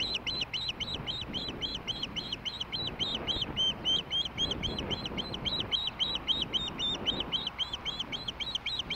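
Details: Osprey at a nest in Hellgate, Montana, on a late evening of 20 May 2016, during a big evening meal; high, clipped whistled chirps repeat rapidly and steadily, about four per second, throughout, over a low background rumble.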